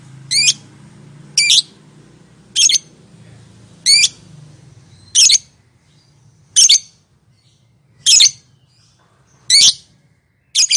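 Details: Lovebird giving contact calls to coax silent birds into answering: sharp, raspy, descending chirps repeated every one to one and a half seconds, with a low rumbling hum in the first half.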